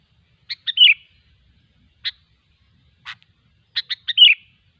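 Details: Sooty-headed bulbul singing in the wild: a quick clipped-note intro and bubbly descending warble, two isolated sharp notes, then the same warbled phrase again; otherwise silent.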